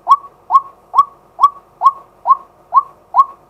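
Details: White-breasted waterhen male, used as a decoy during the day and captured live by a fixed camera: eight crisp upslurred notes in a regular beat, a little over two per second.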